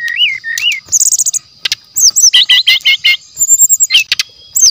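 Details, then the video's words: Brown-chested jungle flycatcher, a genuine forest bird in natural voice, singing as training lure material: varied high whistles, rising and falling slurs, then a fast run of clipped chirps and thin trills in quick bursts. "PASTOL HUTAN ASLI JEBOL.!! SRDC GACOR DENGAN SUARA ASLI ALAM, PANCINGAN SRDC MASTERAN"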